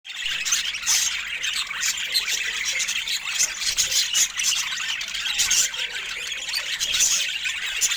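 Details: Pet budgerigars chattering in a dense, continuous stream of high squawks, chirps and warbled notes that overlap without pause, with sharper squeaks standing out above the steady chorus.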